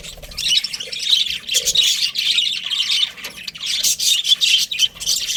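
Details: Budgies give a run of raspy, squeaky chirps and warbling chatter that swells and fades, with one short lull midway.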